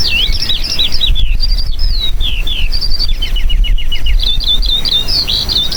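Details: A Eurasian skylark in Poland, hovering high in the sky, pours out a continuous, high, rapid stream of chirps, trills and slurred whistles without pause, over a low background rumble.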